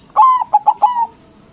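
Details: Single loud phrase from a white local zebra dove used to provoke answering rivals: a sustained mellow coo, three brief clipped notes, then a longer softly falling coo, the whole under a second long.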